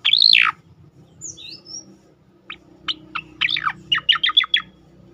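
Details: Striated grassbird 'tembakan' song for provoking other birds: a loud arched whistle opens, then thin high slurs and a quickening series of sharp chips that speed into a dense burst near the end.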